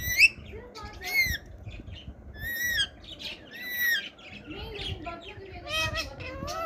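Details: Ring-necked parakeet kept as a pet, talking: a few squawky, speech-like phrases with rising harmonic whistles and harsh bursts between short pauses, over a low background hum.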